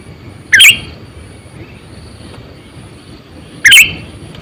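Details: Sooty-headed bulbul, a lure bird of about 8 to 9 years kept for attracting wild birds, giving two short, loud, bubbly chirps about three seconds apart over a steady low hum.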